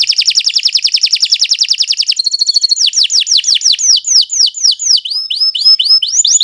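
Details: Canary, Kenari Nusantara type, singing at length for use as a tutor recording. A fast regular trill runs about two seconds, followed by a brief buzzy phrase and a series of looping, falling whistled notes.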